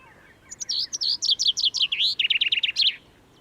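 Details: Common Chaffinch, the first singer heard near the car park at Graveyron estate, Audenge port, as spring begins with trees blossoming, gives one bright, rattling song of about two and a half seconds: quick repeated notes falling in steps, ending in a flourish; quiet background.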